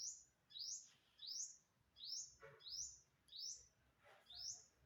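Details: Unknown bird on September 27, 2022, giving quick high rising chirps in an even series, about seven notes; a couple of soft broadband knocks sound in the background.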